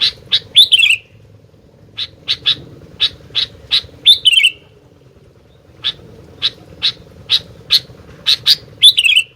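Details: Sooty-headed bulbul alternates clusters of sharp chip notes with several short whistled, downward-sliding phrases, with pauses between bursts and a continuous low hum behind.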